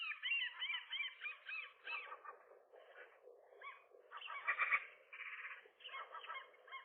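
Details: Nesting gull pair on a roof in April, fighting off a lone gull trying to come between male and female one morning; rapid series of arched, yelping calls in bursts, with softer gaps and a second noisy outburst midway.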